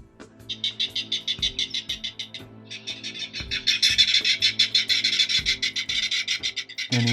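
A Clapper Rail gives long, dry, clattering series of harsh kek notes, about three per second, speeding and swelling toward the end, over soft background music.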